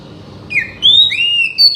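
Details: Oriental magpie-robin song used to provoke a silent bird into singing: a few clear whistled notes, one sliding down, then two long high sustained whistles, over quiet low background hiss.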